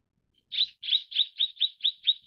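Mrs. Gould's sunbird gives a quick series of about eight high, thin chips, roughly four per second, slowing slightly; nothing else is heard.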